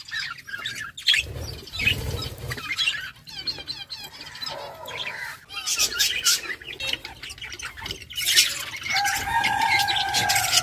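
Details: Budgerigar flock chatter: dense overlapping chirps and warbles, a few clearer whistled notes near the end, and low rumbling in the background.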